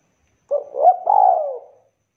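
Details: One full phrase of the spotted dove's kuk call, said to get other doves calling: a short low coo, a rising hooted note, then a long mellow coo falling away, with nothing else audible.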